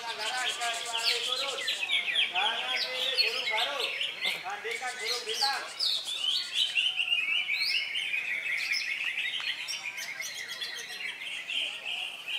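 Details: Contest-caged greater green leafbird, recently through its moult, at an Indonesian songbird competition on Saturday, 3 September: crowd voices and chirps at first, then a sustained, lively warbling chatter lasting several seconds.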